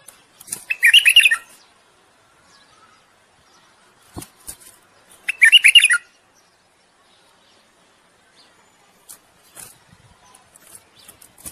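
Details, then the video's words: Bulbul singing to court and stimulate a female to breed: two short bursts of rich, warbling whistled notes about four seconds apart, with faint scattered clicks and quiet gaps between. "تغريد بلبل للتزاوج وتحفيز الأنثى على الجهوزية."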